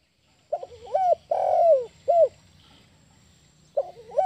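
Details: Zebra dove giving its mating call: a burst of rolling, bubbly coos followed by a longer fluttering coo and a short rising-falling coo, then a pause before the rolling coos start again; faint rural background hum.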